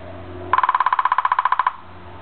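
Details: A Downy woodpecker drums on dead timber bamboo in a back yard, as it does early every morning and evening: a fast, even roll of about seventeen hollow, ringing taps in just over a second, with a quiet low hum behind.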